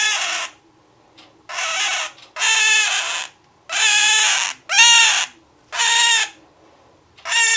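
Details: Captive male scarlet-chested parakeet crying near his female mate: a run of six or seven coarse, buzzy wails, each under a second long, separated by short pauses.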